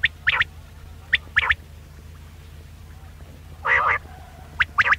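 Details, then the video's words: Quail voice used to draw birds in for hunting: pairs of brief bright notes, a pause, one longer nasal burst, then more quick paired notes over a low hum. "Batair ka Bulara | VOL 66 | Quail Voice"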